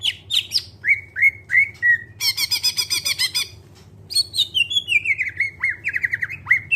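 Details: Greater green leafbird song used as a lure to get other birds singing: clear whistled notes sliding down, repeated rapidly, broken by a harsh buzzy rattling burst, then more descending whistles; faint low hum underneath.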